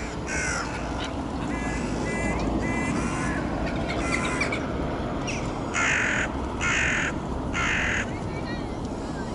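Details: Eurasian oystercatcher giving loud, shrill piping calls, short ringing notes repeated in irregular bursts throughout, some in quick doublets, over a steady low rumble of wind or engine.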